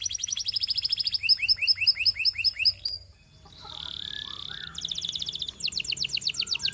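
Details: Russian canary song: a rapid high trill, then paired chirping notes repeated steadily, a brief gap, a steady buzzy tone, and two fast rattling trills.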